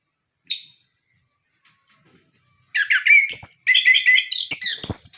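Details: Orange-headed thrush, song for prompting captive birds: one short note, a silence of two seconds, then a rapid rich stream of warbled whistles and sharp clicks.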